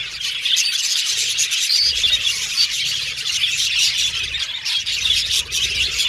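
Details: Colourful pet Australian budgies in a busy chorus of shrill chirps, squeaks and warbled chatter, layered without pause at an even loudness.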